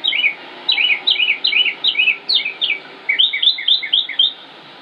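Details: Male northern mockingbird singing in Concord, North Carolina, in late May 2016: falling two-part chirps repeated several times in quick succession, followed by a different set of rising notes, also repeated.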